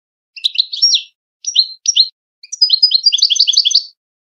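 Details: European goldfinch song used to tutor young birds for singing contests: high, liquid twittering phrases broken by short pauses, ending in a quick run of bright, tinkling notes, with no other sounds.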